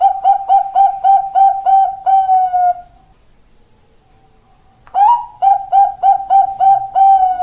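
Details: Female zebra dove of the Bangkok type calling to a male, kept as master and lure song: quick repeated mellow coos in a rhythmic series, a two-second silence, then the cooing series starts again with a rising first note.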